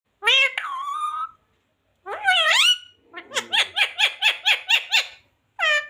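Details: Pet parrot talking indoors, saying words like mummy, papa and radhe radhe: high, nasal voice-like phrases, then a fast run of about nine repeated squeaky syllables and a final short word.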